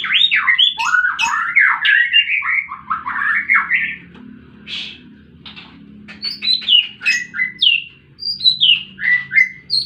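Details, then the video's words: White-rumped shama fighting song used as a lure: loud, rich warbled phrases with rapid up-and-down slurred notes, then sharper high chips and whistles in quick irregular bursts, faint low hum behind. "Murai batu tarung pancing bunyi burung macet"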